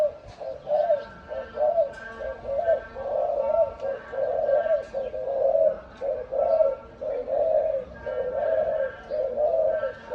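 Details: A loud-voiced dove kept for sale, calm when people stand close, gives a steady series of low, rounded coos roughly once a second, each a short rolling phrase, in a small room.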